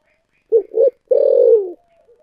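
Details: A single thổ sấm-style phrase from a spotted dove: two quick hooting notes, then one sustained, deep coo that drops in pitch at the end.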